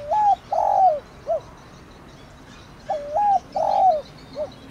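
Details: Spotted dove calling coo in thổ đồng style, meant to prompt a decoy bird to answer; the three-part phrase repeats twice: short coo, long falling coo, then a soft clipped final note.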